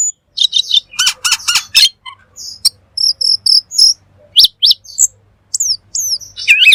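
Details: Cucak keling, the black magpie, singing full gacor: varied high chirps, repeated whistled phrases and sharp downward-sweeping notes, delivered in quick bursts separated by short pauses.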